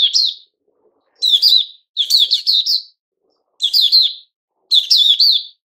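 A white-crowned shama sings short bursts of high, clear whistled notes that swoop and fall, with five phrases spaced about a second apart.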